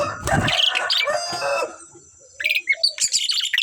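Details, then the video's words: Two Asian pied starlings singing. A loud, dense, noisy passage opens, then falls quiet before a run of sharp, chattering high notes resumes. "sepasang burung jalak suren super gacor"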